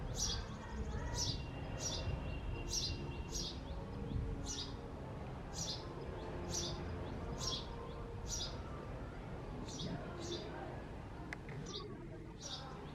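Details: A male house sparrow keeps calling at a nest box behind a house, sharp cheeping notes repeated roughly once a second in an uneven, persistent series, with soft low background noise throughout.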